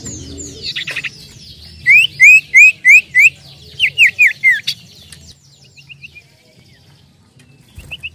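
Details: Energetic common iora lure song with a 'nyiull nyiull' voice: five clear upslurred whistles in a row, a second group of falling slurs, then soft short notes. Other birds twitter constantly behind.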